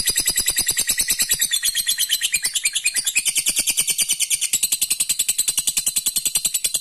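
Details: Lovebird performing an extended 'ngekek' trill to goad rivals: a long, tireless run of quick, harsh, high chattering pulses, steady in speed and volume across nearly seven seconds.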